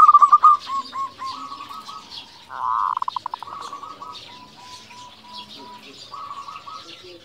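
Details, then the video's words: Local zebra dove singing freely, used to stimulate other doves: an opening flurry of quick coos, then a long run of rolling, stuttering notes fading into softer sustained cooing, with light chirping in the background. "Perkutut lokal gacor Suara Unik"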